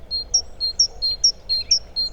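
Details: In early March by a river in Małopolska, Poland, a great tit sings a bright two-note phrase, a high clipped note then a steady lower whistle, about twice a second, announcing winter's end; faint low rumble.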